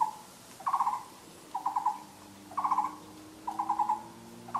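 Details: A Taiwan barbet in a spring forest on 13 April 2014 gives short bursts of rapid, low, hollow knocking notes, repeated about once a second, over a faint low hum.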